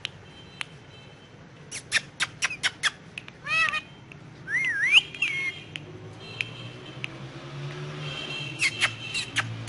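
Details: Ringneck parrot resting on pillows, talking in Urdu/Hindi: scattered sharp clicks, then a stack of quick arched syllables and a rising, wavering whistle, followed by quieter ticks against low hum.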